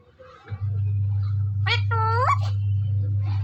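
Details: Single rasping, upward-bending call from a desi Indian parrot in Punjab, preceded by a short harsh note, heard over a loud steady low hum.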